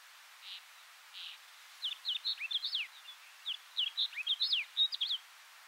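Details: Snow bunting singing at Kiritappu, Hokkaido, June 2015: two soft, breathy notes, then two quick phrases of bright, varied, high musical twittering, over a faint hiss.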